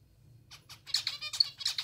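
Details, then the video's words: Hungry zebra finches being hand-fed, begging with a quick series of harsh, buzzy chirps that grow louder and more crowded toward the end, with a low hum beneath. "Hungry Zebra Finches || Hand feeding zebra finches"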